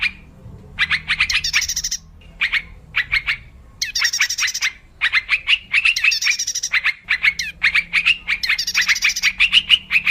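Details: Wild yellow-vented bulbul sound used as a lure for trapping birds: rapid bursts of bubbly, chattering notes with brief higher, buzzy flourishes, separated by short pauses.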